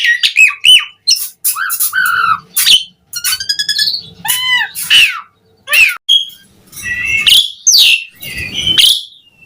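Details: Asian pied starling delivering a mixed gacor song for others to copy: rapid harsh squawks, buzzy rattles and bending whistles in irregular bursts separated by short gaps.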